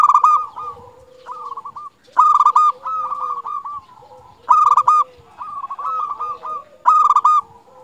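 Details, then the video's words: Local zebra dove from Indonesia singing strongly, a lure to stir silent zebra doves into song: loud stuttering coo bursts followed by softer rolling cooing notes, phrases recurring roughly every two and a half seconds, with faint lower coos between. "Perkutut Lokal Gacor Paling Ampuh Untuk Pancingan Burung Perkutut Agar Bunyi"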